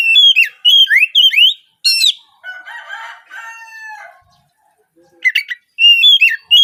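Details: Oriental magpie-robin song played to get untrained speckled magpie-robins singing early in the morning. Rapid whistled and slurred phrases, a harsh buzzy chatter in the middle, then more clear, swooping whistles.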